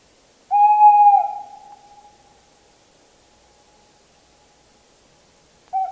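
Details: Tawny owl song: a long, steady, hollow hoot held at one pitch for about a second, fading slowly into a lingering echo, with a second hoot starting near the end.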